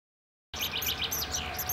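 Great tit calls: a rapid run of thin, high chirps, several overlapping, about eight in a second after a brief silence, over a faint low hum.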